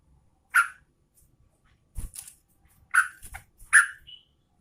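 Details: Sooty-headed bulbul, Garuda type, a female calling the male, gives three loud rasping chirps in four and a half seconds, with soft low knocks and a brief high whistle between them.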